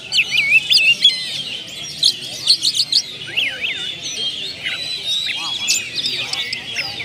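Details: Oriental magpie-robin, known locally as kacer, a kept songbird, in a lure song of learned phrases: fast looping whistles and stuttering chirps at first, then swooping notes and varied warbles running without pause.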